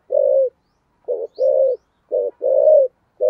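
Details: Low mellow coos from a spotted dove singing in thổ sấm voice with thúc gù delivery: a drawn-out hoot, then short and long notes alternating with brief pauses.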